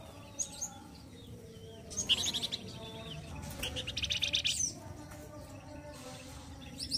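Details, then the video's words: Loud, rough singing of a flamboyan bird in Indonesia, used as a tutor for other songbirds: scattered sharp chirps leading into two extended buzzy trills of rapid high notes. "GACOR KASAR SEPERTI INI YANG SERING DI CARI UNTUK MASTERAN .KICAU FLAMBOYAN"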